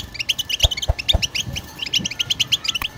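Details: European goldfinch singing a 'batbata' twitter meant to stir other birds into song: quick, choppy high chirps and buzzy notes in rapid bursts, with a few dull low knocks in the background.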